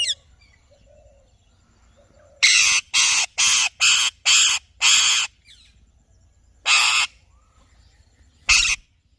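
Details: An Alexandrine parakeet screeches in a fast run of six harsh, raspy blasts, followed by two more spaced out, with faint chatter before them.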